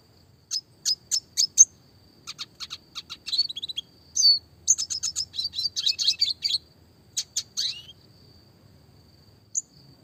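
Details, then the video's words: Red siskin, classic type, gives high, sharp chirps spaced about a third of a second apart. These build into dense, fast twittering runs and a short rising slur, in the rolling training song style called roll tembak. "burung red siskin klasik gacor suara jernih masteran burung kecil variasi roll tembak"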